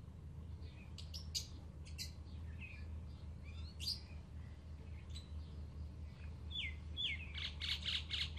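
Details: Young Alexandrine parakeets kept at home: sparse chirps at first, then a fast run of repeated sharp, downward-sliding calls in the last two seconds, over a low steady hum.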